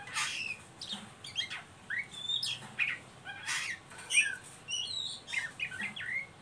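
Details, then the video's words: Ngeriwik calling by an Oriental magpie-robin, used to stimulate untrained birds to sing: moderately quiet, busy mix of scratchy bursts, brief clicks and short upward and downward whistled slurs throughout. "Suara burung Kacer ngeriwik pancingan ampuh buat Kacer bahan"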